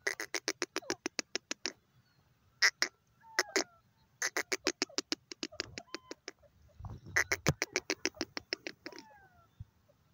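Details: Female grey francolin, known locally as teetar, giving bursts of rapid, sharp, clicking notes, about ten in quick succession per series, separated by short pauses; faint thin whistles from another bird sound in the background.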